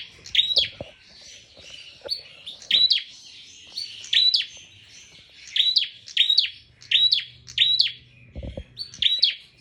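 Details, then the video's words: Prinia in full lively song: loud, sharp, descending high notes given singly or in pairs, roughly every second, each a clear bright chip, with faint low background sounds between. "burung prenjak full gacor"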